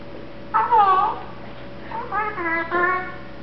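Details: One-year-old male pet Eclectus parrot mumbling contentedly when sleepy: two speech-like harmonic phrases, the first a wavering nasal syllable, the second a string of quick chattered notes, heard indoors over a faint electrical hum.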